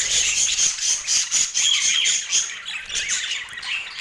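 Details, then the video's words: Pet rainbow budgies feeding on apple, chattering busily in rapid overlapping bursts of bright chirps, squeaks and thin whistled notes, pulsing several times a second with slight dips in loudness. "Relaxing Budgie Sounds"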